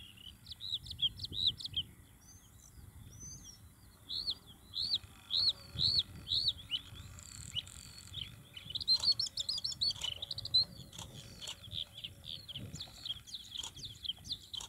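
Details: Bluethroat singing in June 2021, a sustained, rich sequence of repeated high chirps in rhythmic series, ringing tones, rapid buzzy trills and sharp clicks, phrases changing every few seconds, with low background rumble.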